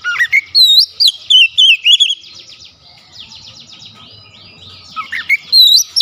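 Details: Clear high whistled song of an oriental magpie-robin singing with open beak, loud looping notes for two seconds, a soft rapid scratchy twitter, then loud whistles returning at the end.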